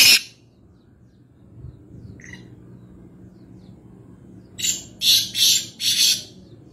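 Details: Black francolin, called Kaala Teeter, at Nawabshah, Pakistan: one sharp note at the start and a faint distant one, then a clear rasping phrase of four harsh notes near the end over low steady hum.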